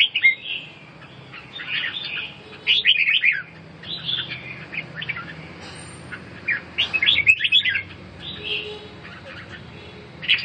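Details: Red-whiskered bulbul song for birds recovering from coughing and respiratory weakness. Scattered bursts of chirps and whistles separated by quieter gaps, with a faint high tone midway.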